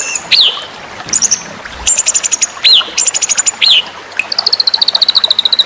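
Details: White-rumped shama masteran for bird contests: varied song of looping up-and-down whistles alternating with fast ticking trills, ending in a long series of high repeated notes.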